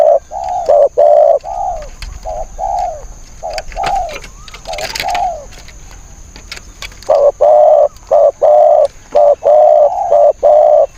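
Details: Spotted dove in a decoy-trapping setting coos in rapid paired notes, about one per second, breaking off midway while people talk and clatter nearby, then resuming a fast steady run of coos.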